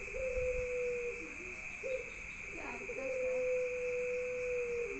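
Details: Pelung rooster giving an unclear crow: long, flat, drawn-out tones, each held for over a second, with a short note between them, over a steady background hum.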